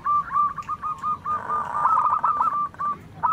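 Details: Zebra dove singing manggung with a big voice, trading calls with local doves: a fast run of short, soft, bubbling coo notes strung together, then a louder final note.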